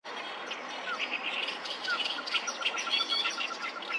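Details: Oriental reed warblers, many singing along the Sawatari River on 7 June 2024: harsh, grating chattering bursts pile over one another continuously, with short clear downslurred whistles from another bird threading through.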